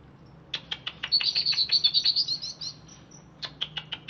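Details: Freshly bathed caged greater green leafbird of Alas Purwo stock chatters: quick, ticking clicks run into a bright, rapid, slightly rising trill. More dry ticks follow after a short pause.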